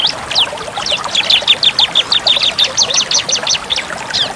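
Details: Bar-winged prinia in full, shooting-style song, played as therapy for prinias that have stopped singing: rapid series of sharp, high, repeated ticking notes, about three per second, over a steady hiss like running water.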